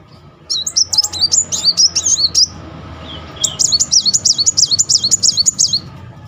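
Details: High, rapidly zigzagging twittered phrases from a Muncang sunbird in rolling song, used to trigger singing in birds that have gone quiet; two long bursts with a brief gap, over steady low background hum.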